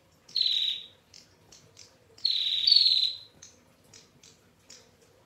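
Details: Female Bar-winged prinia with a clear voice in long ngetir calling: a short buzzy rasp, then a longer one of about a second that slides slightly lower, followed by a series of soft high chips.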